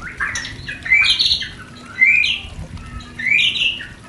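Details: White-rumped shama mating sound for raising breeding desire in a new pair: three harsh, rising upslurred phrases with squeaky overtones, spaced about a second apart.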